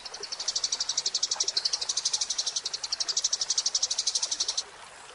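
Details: Tutor recording of Eurasian tree sparrow song for training songbirds: one steady high chattering trill of about four pulses a second for over four seconds, then quiet with faint rustling noise.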